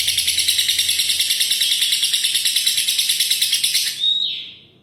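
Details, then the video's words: Continuous high lovebird ngekek chatter of rapid pulsed chirps, about three per second, ending in a short squeal that fades away. "Love birds gacor ngekek panjang konslet - Love Birds Sounds Ngekek"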